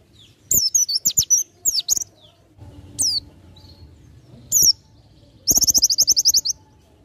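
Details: High-pitched Oriental white-eye song in the ngalas nembak style for tutoring other birds: clusters of thin, quick chirps and sweeping whistles, a single chirp, then a fast, evenly pulsed trill of about a second.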